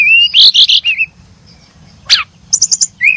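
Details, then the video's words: Brown-chested jungle flycatcher birds chirping in short, high whistled notes and sharp chattering bursts, a rising slurred whistle opening and closing the passage, with a faint low hum beneath. "the sound of brown chested jungle-flycatcher birds chirping"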